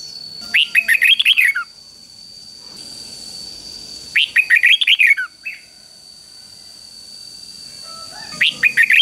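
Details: Caged red-whiskered bulbul singing the three-syllable 'double' (เบิ้ล) song used to train young birds: two bright, warbling phrases of rapid chirpy notes, with a third beginning at the end, over a steady high whine.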